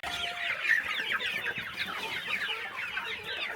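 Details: Chickens on a small countryside farm during morning feeding, a flock clucking together in a dense, overlapping chatter of short, busy notes with no pauses.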